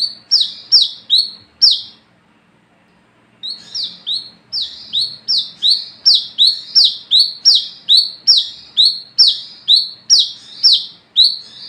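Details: Night-time lure song of an olive-backed sunbird (wiceh) meant to draw and train other birds: rapid high chirped notes in a fast run, then over a second of silence, then a long steady series of bright swooping notes.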